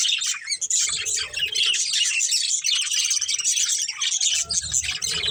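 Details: A breeding pair of budgerigars keeps up nonstop high warbling chatter of fast chirps and squeaks, with faint low rustling beneath.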